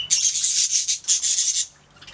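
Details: Budgerigars singing and chirping: two dense bursts of rapid, scratchy, high chattering notes, the first about a second long, then a short pause and a second bout that fades into quiet.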